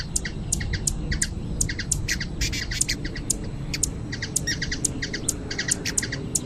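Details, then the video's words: Brazilian hummingbird chirping in nature: bright, clipped high notes in irregular bursts, sometimes doubled or tripled, with a constant low background hum throughout. "Ouça o canto beija flor"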